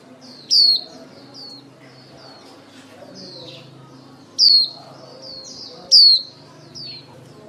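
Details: Lure female white-eye calling the flock for trappers: loud high whistles that drop sharply in pitch come three times, each followed by softer slurred whistles, forming a lively, repeated twittering phrase.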